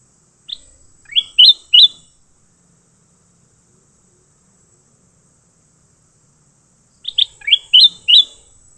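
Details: During a leafbird fight, loud, ringing chirps come in quick bursts: three rising, whistled notes early on, then a long pause before a faster run of five sharp notes near the end.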